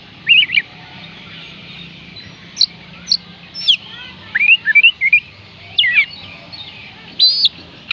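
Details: Oriental magpie-robin, known locally as kacer, singing to coax reluctant birds into song: short separated whistled phrases and chirps, some rising and some falling, spaced irregularly over a faint low hum.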